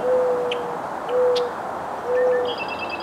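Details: A Mourning Dove gives its iconic coo, often mistaken for an owl: three soft, low, hollow hooting coos, each about half a second long, roughly one per second. Faint high chirps from other birds sound behind.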